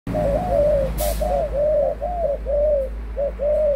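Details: Adult spotted dove cooing: a steady series of low, soft, hollow coos, short notes each followed by a longer drawn-out slurred coo, repeated about once a second with a faint low hum behind.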